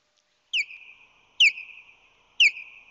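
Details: Wild ospreys at a nest on San Francisco Bay in late March 2020, the male arriving with fish in his talons; three loud, sharp chirps, each dropping steeply then trailing into a level whistled tone, spaced about a second apart.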